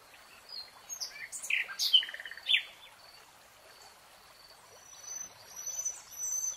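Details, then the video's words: Brief jumbled phrase of a forest nightingale, a quick mix of chirps and slurred notes lasting under two seconds, followed by quiet with faint distant high tones. "Relaxing NIGHTINGALE song"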